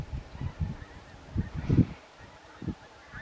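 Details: A flock of Pink-footed geese at Stiffkey, Norfolk, on 18 October 2020 gives short, low honks in uneven, overlapping bursts. Quieter gaps fall between the bursts over a steady outdoor hiss.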